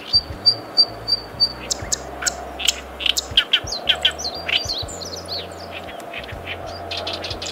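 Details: Zitting cisticola in June in Kita-Harima, Hyogo, Japan, gives sharp, high 'zit' notes, several a second, quieter than the loud harsh chattering of an Oriental reed warbler that follows, with a meadow bunting and other birds over a low hum.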